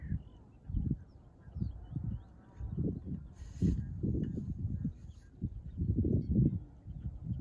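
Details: Taiga bean goose on 10 March 2024 giving deep, low honks in short bursts, roughly one or two each second, with faint background rustle.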